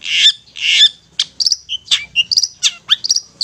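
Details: Long-tailed shrike ngetet song, played to provoke stressed or mute caged shrikes into singing; two broad harsh rasps, then quick clipped chips and short high whistles in a hurried sequence.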